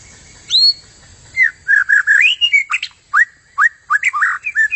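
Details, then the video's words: Forest white-rumped shama song used to train contest birds: a high upswept whistle, then a burst of rich mid-pitched warbling notes, slurs and quick rising flicks in close succession, clearly recorded with little background. "SUARA Murai Hutan bagus buat isian Kontes"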